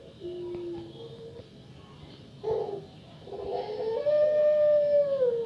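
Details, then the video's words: Female puter pelung dove, kept as a lure bird to draw calls from other doves. Short low notes and a rough burst come first, then a long, bright, sustained coo rises in strength and holds to the end. "Puter Pelung Suara Mengerikan (Cocok Untuk Pancingan Agar Puter Pelung Kalian Bunyi)"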